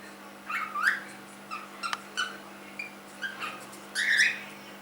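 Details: Three-month-old pet cockatiel giving short harmonic chirps and rising squawky calls near 1.5 to 2 kilohertz, spaced irregularly, ending in a louder warbling call; faint steady electrical hum underneath.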